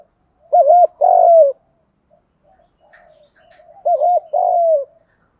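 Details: Spotted dove calling to stimulate other doves, male and female: two phrases, each a quick hooked double coo then a long falling coo, with faint soft cooing in the three-second gap.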